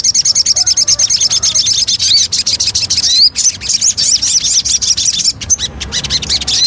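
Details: Javan cochoa singing a lure song: a dense, fast buzzy trill first, then bright rising whistles mixed with sharp chattering notes.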